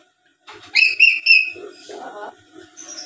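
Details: Black-capped lory whistling three clear, bright, slightly descending notes in quick succession, followed by a lower muttered phrase and a soft high note; indoor setting.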